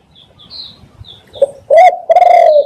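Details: Spotted dove, a lure sound for trapping doves: faint high chirps give way to one short coo, then two loud, harsh, drawn-out coos close together.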